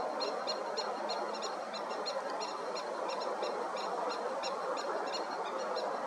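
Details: European goldfinches in February 2019 at Mishmar HaEmek, Israel, calling in quick, high, tinkling notes in rapid runs throughout, over a steady rushing background noise.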